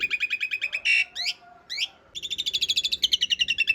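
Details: Rapid rattling roll from an Asian pied starling, a master track with rough fill for cage-bird training; fast repeated buzzy notes are interrupted by a harsh burst and two whistled slurs, then resume.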